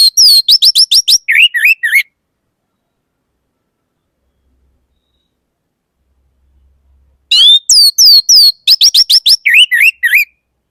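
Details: Orange-headed thrush singing two loud bursts of rapid, high whistled notes, each sweeping down steeply, with some short clicks, about two seconds each, separated by a long silence.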